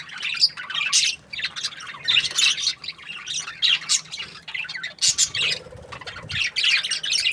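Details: Budgerigars in breeding season chirping happily: dense, overlapping scratchy chatter and squawky warbles from several birds, coming in bursts with short pauses between them.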